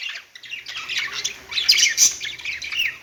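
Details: Pet budgerigars singing on a perch, a continuous warbling chatter of scratchy chirps and squeaks overlapping without pause, with louder sharp notes near the middle.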